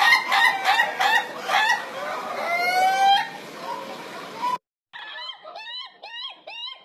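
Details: Laughing chicken (ayam ketawa) crowing in a fast, chuckling series of harsh, repeated syllables like rolling laughter, with opening, beat and closing sections.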